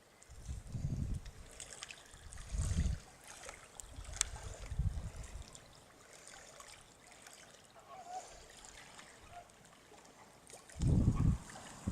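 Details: Low rumbling bursts of wind or handling noise over a faint trickle of water, with no clear animal call.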